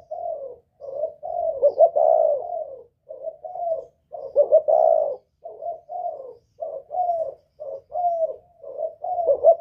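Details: Northern-style spotted dove giving 'kích bổi' lure calling in a whistling 'giọng còi' voice: a near-continuous run of low, soft coo notes, short ones alternating with longer swelling hoots, in a quiet setting.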